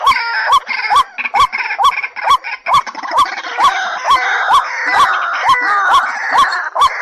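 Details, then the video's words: White-breasted waterhen calling in a recording assembled to draw birds into traps: steady hooked notes every half second under a constant harsh, croaking wash of overlapping voices. "Tiếng quốc mồi của các tiền bối hợp lại để có cái âm thanh bẫy quốc"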